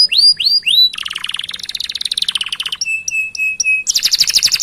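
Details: Singing canary used as a song tutor to stimulate other canaries: three loud rising-then-falling whistles, then a dense buzzy trill, a series of short flat high pips, and a final fast rattling phrase.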